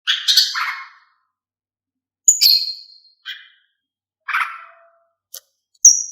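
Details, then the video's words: Female cucak ijo (greater green leafbird) calling to spur males into song: harsh, chattering buzzy phrases about a second long, separated by pauses of one to two seconds, with short sharp high notes between. "Siulan Kicau Cucak Ijo Betina untuk Buat Cucak Ijo Jantan Berbunyi"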